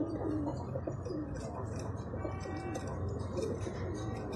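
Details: Jaafari pigeon, named as the tiniest pigeon type in the world, uttering low, brief coo notes repeated several times a second over a steady background hum.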